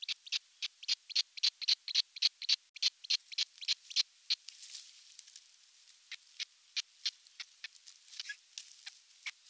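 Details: A young osprey chick alone in a nest in Western Finland's Satakunta region, recorded June 29, 2022. It calls with rapid, piercing high chirps, loud and steady at first, then fainter and more scattered toward the end.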